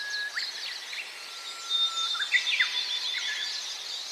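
Gouldian finch: thin, high whistles with soft, scratchy chirps, fast and overlapping, over a steady hiss. Other finches seem to call at the same time.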